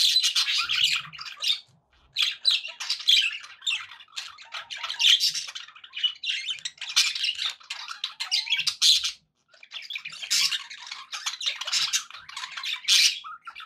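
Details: Happy pet budgerigars chattering indoors: dense bursts of buzzy, scratchy warbles and squawks, broken by short pauses, with several birds overlapping in a continuous lively babble.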